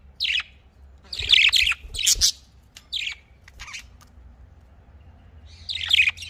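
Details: Budgerigar calls in a breeding context: an isolated chirp, then a cluster of harsh, rapid chattering notes, more scattered chirps and a final buzzy warble; quiet hum beneath.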